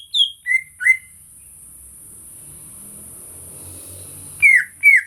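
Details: Greater green leafbird, recorded for real, giving three quick downslurred whistles, then a pause of several seconds before two louder descending whistled notes. Faint low rumbling and steady high hiss in the background.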